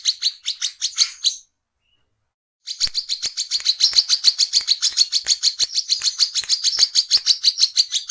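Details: Brown-throated sunbird in lively night song, played as a lure to call others: fast, high chirping notes repeated roughly three times a second, broken by a brief silence before a longer, denser run with light clicking underneath.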